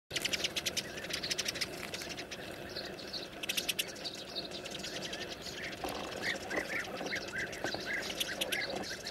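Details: Sparrows in a colony of hole-nesting birds, frightened by a snake crawling toward their nests, flocking to a branch. Many birds give dense overlapping sharp chirps, with rapid clicking bursts early on and clearer repeated tweets later.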